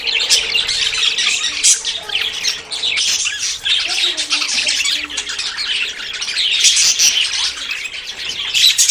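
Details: Many budgerigars courting before breeding produce a lively jumble of chirps, warbles and squawks, with a louder, denser passage near the end and a faint steady hum.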